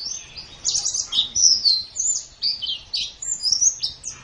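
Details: Morning or evening training recording of white-eye song for caged birds: jumbled, bright warbling with rising and falling whistles, delivered in quick bursts with brief pauses.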